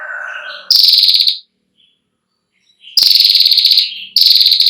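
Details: Female Ashy prinia, long trill for training young birds: a low buzzy note leads into three loud, rapid ticking trills, the middle one longest, after a pause of near silence.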